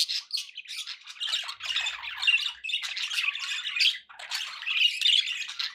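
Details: Chattering pet budgies with steady background noise, a continuous mix of harsh squawks, clicks and warbling with one short dip near the end.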